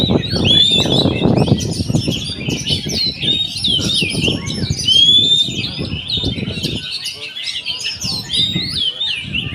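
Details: Fast, busy oriental magpie-robin song of quick whistles, warbles and chirps with a clear upward-sliding whistle near the middle, over low rumbling thuds and faint voices that fade out toward the end.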